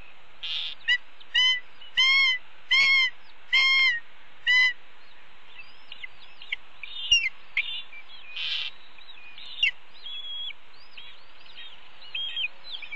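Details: Nestling red-tailed hawks at a nest camera, 30 May 2013 at ten in the morning, loudly begging while the mother brings a pigeon to feed them; six strong, rich harmonic squeals open, then softer varied whistled notes and slurs follow.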